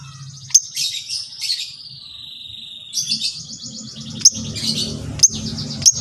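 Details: Training song from a long-tailed shrike, used to prompt other shrikes to sing. It is a run of high, scratchy, warbling phrases and a drawn-out falling whine, with sharp clicking notes near the end over a low background hum.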